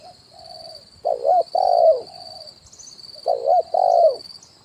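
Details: Spotted dove used as a lure for wild birds, kuk 1 call on branch and ground: a soft opening coo, then two loud couplets of a wobbling note and a long mellow coo, against a constant shrill background tone.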